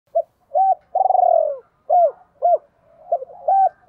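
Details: Decoy spotted dove calling in the gáy gọi hai hậu style to attract females: low cooing phrase of short hooked notes, one long rolling note that slides down, then further clipped coos. Quiet background.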